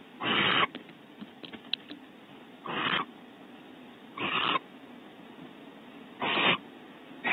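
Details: Bonding visit between barn owls at Starr Ranch, California, the male bringing stored prey to the female: four rasping, noisy hisses spaced about two seconds apart, with soft scuffles and faint clicks between them.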